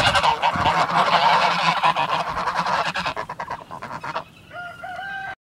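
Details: A flock of 18 geese chases a moving car across a property, honking in a dense, rapid chorus of harsh nasal calls for about four seconds. The chorus breaks into scattered honks, then a thin, steady whistled tone.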